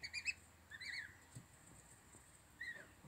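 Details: Young goose chick making thin, slightly rising peeps, a quick triple at the start and two single notes later, over a steady hiss and low background hum.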